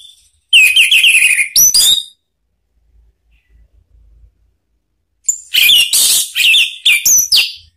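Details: Orange-headed thrush giving two rich bursts of fast, varied whistles and chattering notes, high and bright, separated by a few seconds of quiet; used as a lure and therapy sound to prompt other caged orange-headed thrushes to answer and sing.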